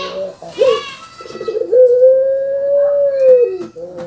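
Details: Caged puter pelung dove: a rapid burst of rattling notes leads into one long, level, sustained coo lasting nearly two seconds that drops at the end, with faint voices at the start.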